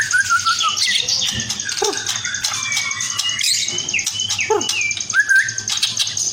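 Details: Spotted white-rumped shama pouring out a rich, varied song of slurred whistles, falling and rising notes and sharp chips in quick succession, dense and continuous, with a steady low background hum.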